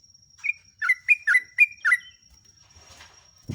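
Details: Sooty-headed bulbul song for tutoring caged birds: six or seven quick, liquid, slurred notes over about one and a half seconds, followed by soft noise and a low knock at the end.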